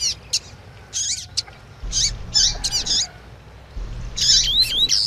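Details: Male double-collared seedeater in tui tui song with female calls meant to rouse a male. Brief high chirps sit between quiet gaps, then dense buzzy bursts and falling whistled slurs. Low rumble throughout.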